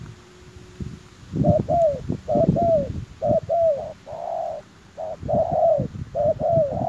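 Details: Spotted dove calling as a lure for wild doves, paired mellow coos with one long steady note in the middle, mixed with frequent low thuds and rustling.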